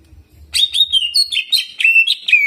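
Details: Greater green leafbird in an excited, spontaneous song: a fast, run-on string of bright whistled and chattering phrases with mimicked Bar-winged prinia notes and rolling trills, sliding up and down in pitch with hardly a pause.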